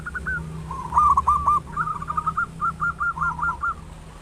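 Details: Local zebra dove with a big, loud voice, used as a lure to quickly stimulate other doves to sing: a short opening note, then rapid rolling, stuttering coos in quick bursts that end in an evenly spaced series, over a steady low hum.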